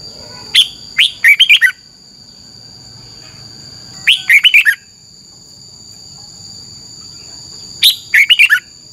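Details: Caged red-whiskered bulbul from Thailand singing 'double' style song meant for teaching note counting. Three crisp phrases of five or six sharp, sweet chirping notes come roughly every four seconds, separated by quiet gaps with a persistent high whine.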